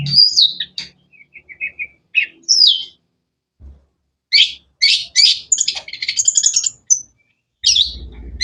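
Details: Long-tailed shrike (cendet) giving a varied song of sharp chirps, short trills and harsh scratchy notes, mixing high squeaky notes with rapid rasping bursts and brief pauses, plus low thumps.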